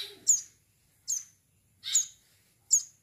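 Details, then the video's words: Young bar-winged prinia calling with four sharp, very high chirps, each a quick buzzy note ending in a thin falling whistle, spaced nearly a second apart in a quiet background. "Anakan burung ciblek sawah"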